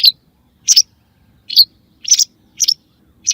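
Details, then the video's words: White wagtail chirps played for hunting: six sharp, high notes, about one every half second, some with a quick double stroke. "صوت لصيد طيور الزعرة البيضاء"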